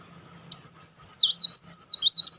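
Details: Kolibri Wulung sunbird, a master bird for training others, in fast chattering crecetan: a quick tick, then continuous high, looping, trilled phrases that wind up and down for nearly two seconds.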